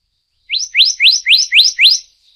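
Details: A Black-naped Monarch of the Taiwan endemic subspecies Hypothymis azurea oberholseri gives six quick, bright, rising whistles in a row, about five per second, with no other sounds.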